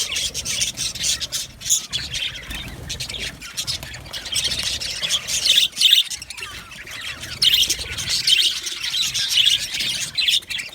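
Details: Cheerful chirping from a budgerigar colony kept in an aviary: many birds twittering at once in a high, busy stream of squeaky notes and short squawks, swelling and dipping without pause.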